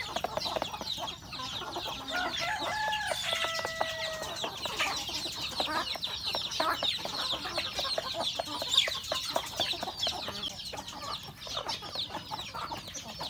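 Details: Roosters and hens of a rural home flock eating breakfast: a drawn-out, tonal cluck near the start, then a long stretch of crowded high chirps and quick pecking taps from many birds.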